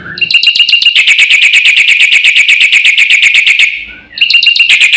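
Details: Black-winged myna in lively isian song meant to excite other birds: a long, unbroken burst of fast, harsh, metallic notes lasting about three and a half seconds, a short gap, then the rapid series resumes.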